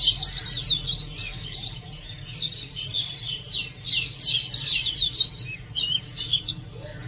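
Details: Loud song of an Oriental magpie-robin, a dense, rapid stream of high chirps and twittering whistles without pause, varied and tumbling, with steady low rumble underneath.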